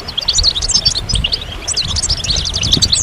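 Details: Goldfinch song: a rapid, tinkling twitter of short high chirps and quick slurred notes, packed densely and running without pause, over a faint low rumble.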